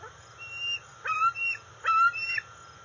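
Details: Juvenile bald eagle, about 131 days old, calling at its nest in August as a parent brings a fish; three loud bursts, each starting with a sharp squeal and trailing into a thin wavering whistle, about one second apart.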